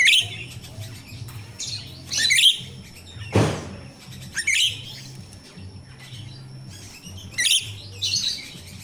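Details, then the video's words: Wild myna (jalak Rio-Rio) song recorded in nature, used as a lure for captive birds: harsh, chattering high bursts repeated every few seconds, with a low steady hum and one loud rushing noise midway. "Suara jalak Rio-Rio asli alam"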